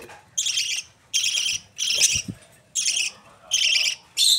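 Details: Young budgerigars, Australian parrot chicks, recorded in Pakistan, utter broad grating rasps about every second, with quiet gaps and a soft knock in between.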